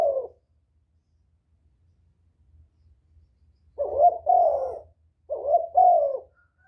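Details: Lure cooing of a spotted dove meant to draw in other doves, one brief coo followed after a long silence by two paired phrases of rough, slightly descending low notes.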